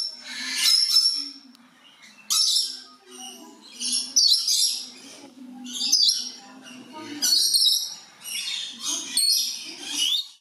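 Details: Blue-eared lory in a warm house kept with several lory species, calling from joy, aggression, boredom or to conspecifics: loud, piercing, shrill screeches and squawks in bursts every second or two, with lower chattering between.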